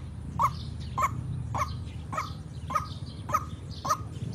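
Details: White-breasted waterhen lure call used for trapping: short clipped notes repeated roughly every half second, each a brief mid-pitched knock, over a steady low rumble.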